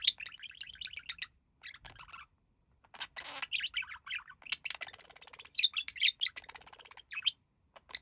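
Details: Pet male budgie chattering in imitation of human speech beside his mate; quick repeated twittering notes, a brief rasp, then dense, varied squeaky warbling with short gaps.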